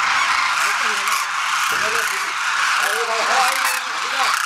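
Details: Wintering wild Demoiselle Cranes at a village bird-feeding site in Khichan, Jodhpur district, Rajasthan, India; several low, rolling croaking calls overlap from a flock against a loud, steady hiss of background noise.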